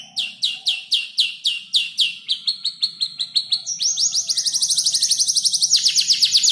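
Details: Young canary about five months old, still learning and arranging its song from other birds heard as tutors, delivers rapid repeated high downslurred notes about four per second, then a faster trilled run of bright rising-falling phrases.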